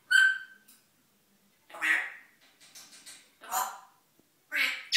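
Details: Male African grey parrot gibbering to himself in the morning, hidden from view: a clear whistled tone, then several short muffled speech-like bursts and squawky syllables with gaps between.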